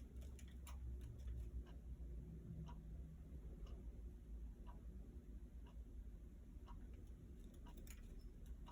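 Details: Low rumbling hum with faint scattered ticks and clicks throughout, and no animal call heard.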